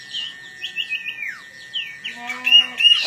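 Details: Long-tailed shrike singing hard before a fighting contest: several quick slurred whistles, one long downward-sliding note, then a low buzzy nasal tone with overtones, ending in high thin squeaks.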